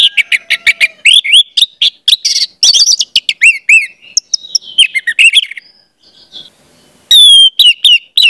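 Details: Energetic orange-headed thrush song used as a lure for young birds: a dense stream of rapid, ringing, bending whistles and chatter, then a brief lull and a loud return of clear whistled phrases.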